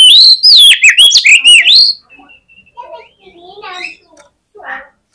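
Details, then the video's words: Oriental magpie-robin fighting song meant to provoke rival birds: a loud, rich run of whistled and buzzy phrases for two seconds, then fainter scattered chirps and warbles. "KACER GACOR FULL FIGHTER !!! COCOK UNTUK PEMBANGKIT EMOSI KACER LAWAN AGAR NGOTOT"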